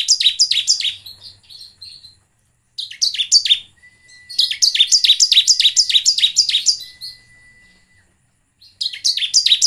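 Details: Bar-winged prinia singing in a lure recording for birdkeepers: repeated bouts of high, sharp, buzzy down-slurred chirps in quick succession, roughly three to four per second, broken by short silences and a faint, thin, level tone.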